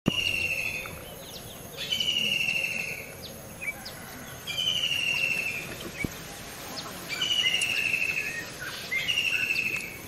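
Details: A white-throated kingfisher (Halcyon smyrnensis) in Myanmar gives loud, shrill, slightly falling trills, each about a second long, repeated every two to three seconds over a steady outdoor hiss.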